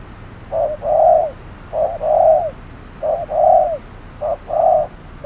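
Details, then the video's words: Decoy spotted dove calling during a midday trapping session in heat: steady, mellow cooing, each phrase a brief note then a longer swelling coo, four phrases in regular rhythm about every second. "Bẫy cu gáy 10 // Mồi VR001 gặp phải con Bổi quá khôn"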